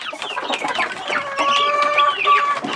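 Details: Chickens in a coop at a food tray while young birds eat: mixed clucks and a drawn-out, level, nasal squawk over scattered high cheeping.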